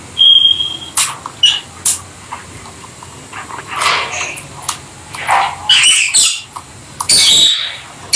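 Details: Rosy-faced Lovebirds kept as pets chatter while playing together: a short clear whistle, then harsh, high squawks and rapid shrill chirps, coming in bursts separated by quieter moments.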